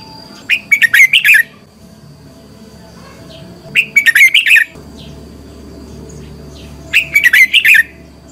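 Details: Decoy red-whiskered bulbul giving competitive song to train and excite other birds: three short, punchy phrases of rapid bubbling whistles, roughly every three seconds, with quiet gaps between them.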